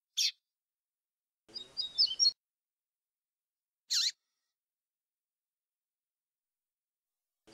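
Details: Double-collared seedeater with flautado-style song meant for training young birds, recording cleaned of noise: isolated sharp high bursts separated by silence, plus a brief whistled warbling phrase near the middle.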